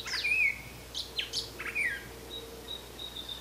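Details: Brown Thrasher in Canada gives a quick run of sharp, varied chirps and slurred notes, high and bright, over faint background hum.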